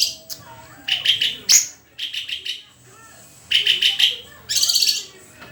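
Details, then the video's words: White-rumped shama delivering quick pulsed phrases, rapid chips repeated in short clusters separated by pauses, ending on a harsh buzzy high burst; quiet background murmur. "SUARA INDAH BURUNG MURAI GACORRRRR!!!"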